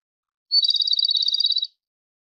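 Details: Song of a Japanese robin: a thin high note opens a rapid, slightly wavering trill of many quick beats that holds a steady pitch for over a second, then stops cleanly.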